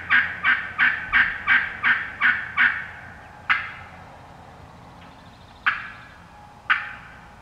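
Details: Hen wild turkeys calling in woodland: a rapid steady sequence of eight raspy yelps about three per second opens, followed by three isolated sharp clucking notes with long pauses between.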